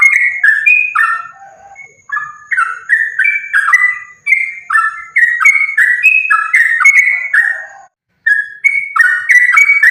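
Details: Sooty-headed bulbul in energetic, continuous fighting-style song, used as a lure to make other bulbuls sing. Rapid bubbly whistled notes, rising and falling in quick chattering phrases nearly nonstop, with a brief pause near eight seconds.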